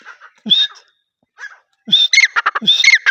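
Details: Francolin, known locally as teetar, calling: bursts of harsh, buzzy notes around a whistled upper tone, rising to a rapid, irregular run of stacked chattering syllables in the second half, with brief low swooping sounds.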